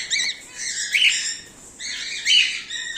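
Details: Home-bred cockatiels, a whiteface emerald and an exhibition grey male, give harsh, buzzy squawking calls with rising and falling harmonic bands, in two long bursts about a second apart.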